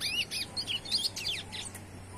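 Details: Brief, lively bout of high, bubbling slurred notes from a young chestnut-bellied seed finch singing despite the noise around it, over a faint steady hum.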